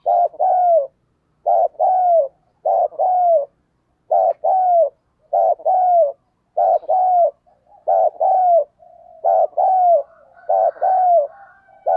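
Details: Decoy spotted dove, used to prompt other doves to start cooing fast. It gives about eight deep two-part coo phrases in steady succession, each a short wobbling note and then a drawn-out descending one, with faint murmurs between.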